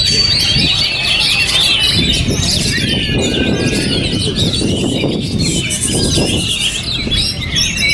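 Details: Oriental magpie-robin still singing while buffeted by strong wind: continuous high chattering and whistled phrases over heavy, roaring wind that swells and fades across the recording.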